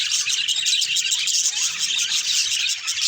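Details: Caged budgerigars give a steady stream of overlapping, busy chirps and raspy chatter. The calls are bright and high, with a soft low rumble in the background.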